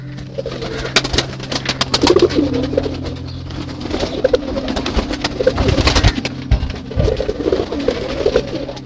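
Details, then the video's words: Several pigeons inside their loft, during feeding, give soft, low, rolling coos every second or two, over a steady hum, scattered clatter and wing flutters, with background music. "Pigeon Sounds"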